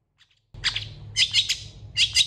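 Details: Long-tailed shrike singing with a full varied repertoire: bursts of scratchy, chattering notes in short phrases over a steady low humming background noise.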